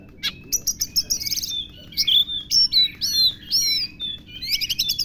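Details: Kacer, the oriental magpie-robin, singing lovebird imitations: a busy run of sharp chips and twitters, then a series of bright, down-slurred whistles, ending in a fast high chatter.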